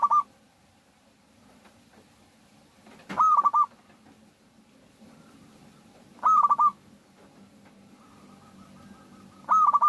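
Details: Local Indonesian zebra dove used as a lure to make others sing, repeating its cooing phrase roughly every three seconds, a clear held note then stuttered beats, with quieter answering coos and background hum.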